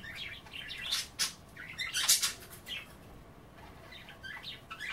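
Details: Budgerigars at bath time nibbling kale rather than bathing; dense scratchy warbling chatter, loudest in the first half with harsh broadband bursts, then softer twittering notes.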